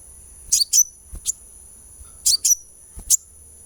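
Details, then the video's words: Therapy recording of a sunbird used to prompt singing: quick high-pitched twittering notes in pairs, some ending in a thin whistled tail, repeated roughly every second with gaps, over a steady high electronic-like hum and soft low bumps. "suara terapi kolibri supaya gacor"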